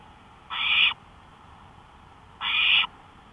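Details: Two raspy, hiss-like screeches, roughly two seconds apart, from an owl out on a porch in the night of May 5, 2013, at 1:53 AM, over a soft steady background hiss.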